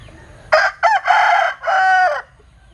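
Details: A Vietnamese Linh Kê rooster with a strange, unusual crow: one hoarse crow in three parts, a short rising note, a brief stutter, then two long harsh drawn-out syllables, fading after about two seconds.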